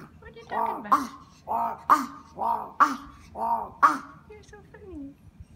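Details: Crow in Japan calling to a person it has befriended: five hoarse, nasal caws, evenly spaced about once a second, each with a rough harsh onset and short drawn-out tail, over quiet background.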